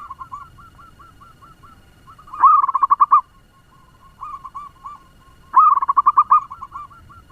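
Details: Fast-singing local zebra dove used as a lure for other doves. Soft rhythmic coos lead into a loud rattling burst of rapid staccato notes, a quieter stretch of spaced coos, then a second equally rapid burst.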